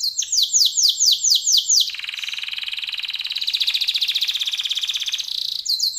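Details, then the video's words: Canary in lively song with a long, ornate delivery: a series of fast descending whistled sweeps, then an extended dense buzzing roll held for over three seconds before the sweeps resume. "Kenari Gacor Isian Lagu Mewah, Durasi Panjang"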